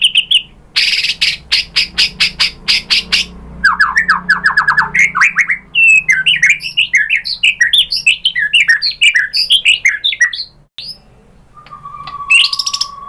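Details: White-rumped shama song, played to provoke other shamas. A loud rapid series of harsh clicking notes leads into fast descending chips and a tumbling stream of varied high notes, ending with a steady whistled tone.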